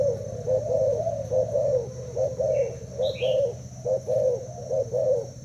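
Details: Spotted dove of Thai type, caged two days, dueling with a decoy in cooing; evenly paced soft low coos in groups, with brief high chirps from other small birds midway.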